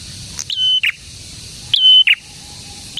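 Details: Prinia singing with gusto. Two full phrases of a sharp note, a long steady piercing whistle and a raspy falling end, with a brief high chip in between.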